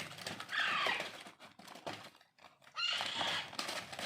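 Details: Raw Alexandrine parakeet chicks being hand-fed. Two rough, scratchy begging squawks about a second apart-length each, separated by clattering and tapping noises.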